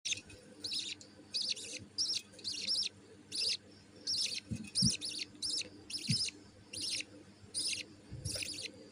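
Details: Budgerigar chick being fed by its mother begs with rapid, high, scratchy chirps in short repeated bursts.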